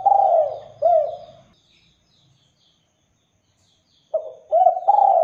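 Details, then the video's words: Spotted dove singing to provoke answers from other doves: a low falling coo and a hiccuping note, a pause, then a new phrase of burred coos, with faint high twittering from other birds behind. "LANGSUNG NYAUT DERKUKU JENIS APAPUN, DENGAN KICAUAN DERKUKU GACOR INI"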